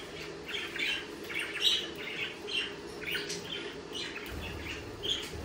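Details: Budgerigar chatter, a run of quick, high, scratchy chirps repeated about once a second with uneven spacing. A faint low hum sits underneath.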